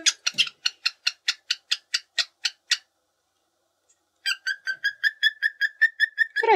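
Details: A pet cockatiel sings in the quiet after-lunch rest period beside a dozing female cockatiel, a "lullaby": a fast run of scratchy chattering notes, a pause, then quick, clear, repeated mid-high whistles.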